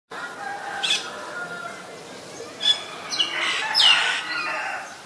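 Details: Common myna in Ubon Ratchathani, Thailand, recorded February 28, 2022 on a Nikon P1000: scattered harsh bursts and sharp downward-sweeping high notes, with a faint lower whistled tone running beneath.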